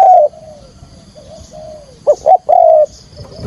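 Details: A spotted dove used to attract wild doves for trapping: a coo, soft low murmured notes, then two quick sharp notes and a final long mellow coo.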